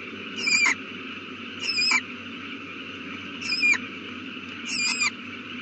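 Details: Owl at its nest with a just-hatched chick, 18 April 2019 at 8:32 pm: four rasping, slightly downslurred calls spaced one to two seconds apart against a steady electrical hum.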